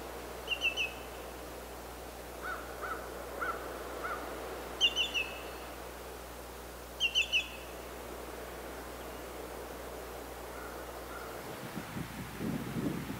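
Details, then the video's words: Greater Yellowlegs call: loud, ringing, slightly descending tew-tew-tew whistles in three bursts, with softer lower notes between and a steady low hum until near the end. "Cri du Grand Chevalier/Call of the Greater Yellowlegs"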